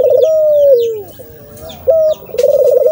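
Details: Burung puter dove call: trilled opening bursts lead into a held tone that drops and fades, then a short steady note and another rapid trill, all low and pure, faint bird chirps in the background.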